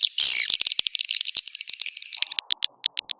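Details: A sharp, high, descending swiftlet squeak opens, followed by a quick train of clicking chirps that slows and thins out, with a low steady hum entering halfway through.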